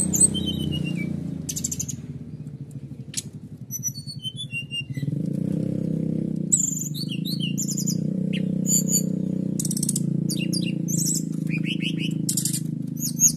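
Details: Canary delivering provocative "nembak" song to stir competing birds: varied high whistles, short chips and dense rattling bursts, repeated irregularly for over ten seconds above a continuous low hum.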